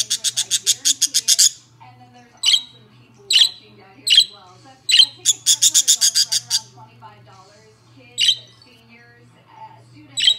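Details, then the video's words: Two pet budgerigars chirp: a fast run of a dozen rapid, bright ticking notes opens, then spaced buzzy chirps, a second rapid burst midway, and scattered single chirps over a soft low hum. "Chirping Parakeets"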